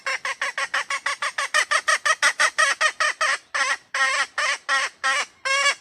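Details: Female red junglefowl calling for a mate: a fast run of harsh, nasal, honking notes, about three per second, steady at first, then slightly spaced and louder toward the end. No other sounds.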